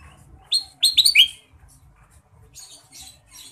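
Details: Kutilang emas, the Ruby-throated bulbul, sings clear, crisp phrases: one sharp falling whistle, then three more tumbling downward in quick sequence, trailed by faint high twittering notes.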